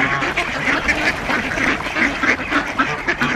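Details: Ducks gathered at feeding time on Diss Mere on 17 December 2022, with two geese among them; a dense, overlapping chorus of harsh nasal quacks, several calls per second, blending into a continuous busy racket.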